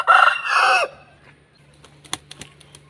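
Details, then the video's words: Aseel rooster ends a raspy crow: two rough bursts with a drooping finish under one second long, then faint scattered taps and clicks over a low hum. "Aseel Roosters Crowing"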